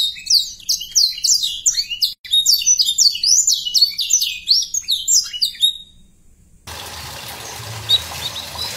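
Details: Young canary song meant to encourage juvenile canaries to sing: fast run of high descending slurs and trills for about six seconds, then the singing stops and a steady background hiss takes over.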